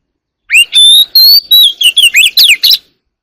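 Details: Oriental magpie-robin singing at dawn, a fluent run of clear whistled notes, first rising then level, followed by quick falling and twisting whistles, about nine notes in under three seconds.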